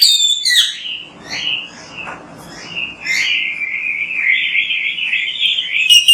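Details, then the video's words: An Oriental magpie-robin pours out lively song on a training recording meant to spur others to sing. A few sharp high notes lead into a long, sustained, wavering whistle that rises slightly, over faint background hiss. "MASTERAN BURUNG KACER GACOR BERSUARA MANTAB"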